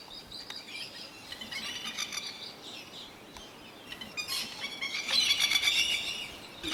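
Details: Lapwings, adults with their young, living around a neighbourhood, give sharp, harmonic, high calls in bursts. The calls grow busier and louder toward the end over a steady background hiss.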